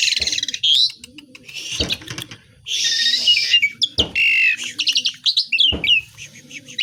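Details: Asian pied starling in full song packed with imitations, varied buzzy rasps mixed with quick rising and falling whistled notes, interrupted by sharp clicking taps.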